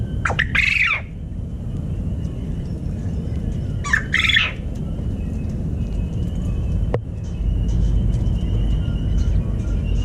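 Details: Quail roosters crowing at dawn, recorded right next to their cage: two short harsh squawking bursts near the start and at four seconds over a steady low rumble, with faint native birds chirping.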